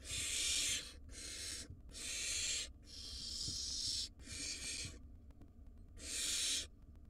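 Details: Five wild barn owl nestlings in a monitored nest box in Israel give harsh, rasping hisses in six drawn-out bursts, each under a second, over a low background rumble.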